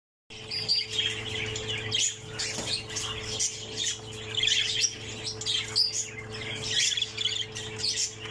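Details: Pseudo Texas opaline budgerigar chick, the last one left in a nest of six, amid a busy stream of rasping squawks and high chirps that rises and falls without pause, over a steady low electrical hum.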